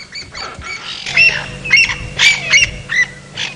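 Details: At sunset on 15 June 2017, near Djuma Game Reserve, South Africa, a Crested Francolin in the grass gives harsh, grating alarm notes in quick bursts, about two a second, over faint wind hum; possibly not serious, maybe aimed at another francolin.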